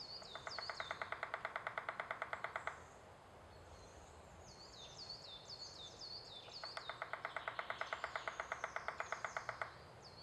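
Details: A Eurasian three-toed woodpecker digging a nest cavity and drumming gives two steady rolls of about eleven sharp knocks a second, each lasting two to three seconds. High, thin, down-slurred small-bird whistles sound between them.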